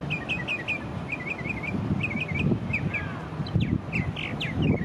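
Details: Northern Mockingbird in an eastern North American backyard singing mimicked phrases, each repeated three or four times in quick succession before switching, over a low rumble of background noise.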